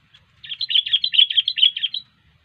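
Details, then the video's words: Sooty-headed bulbul in vigorous song: a clear, fast string of bubbly chirped notes lasting about one and a half seconds, evenly paced and fairly high-pitched, in quiet surroundings. "Burung kutilang Gacor"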